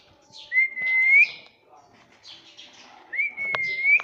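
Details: Pet talking parrot indoors gives two long, clear whistles, each starting low, holding steady and rising sharply at the end, with light chatter between them.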